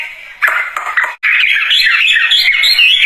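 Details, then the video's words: Wambie singing amid a few sharp clicks, then a loud, unbroken stream of wavering whistled notes rising and dipping quickly. "Kicauan Burung Wambie Gacor Dorr"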